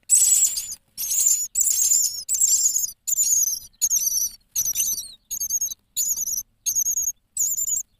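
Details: Nestlings on day six inside a nest box, fed again and again by a parent bird, produce a run of about ten high, quavering squeaky bursts, each under a second, spaced evenly and fading slightly over time, with soft low scuffling beneath.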